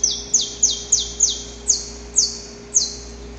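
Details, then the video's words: Male saffron finch in the wild, singing its extended pre-dawn courtship song to a female: crisp descending high-pitched notes repeated at irregular intervals, eight in about three seconds, against a low steady background hum. "Canto Para Esquentar o Canário da Terra"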